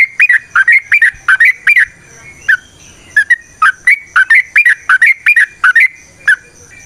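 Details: Sooty-headed bulbul (trucukan) in natural wild-style ropel panjang song for luring other trucukan: bubbly two-note whistled phrases repeated in quick bursts, about one and a half per second, with a brief pause mid-clip.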